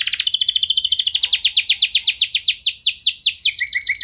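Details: Singing canary meant to prompt other canaries to sing: a rapid trill of bright descending notes, then a long run of slower sweeping syllables, ending with short flat buzzy notes.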